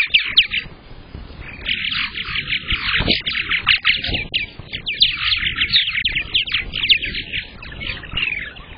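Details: Purple martins at a nest on the day the first egg was laid, May 15th, 2022: continuous gurgling, warbling chatter with rapid creaky notes, close and loud, over low rumbling handling noise.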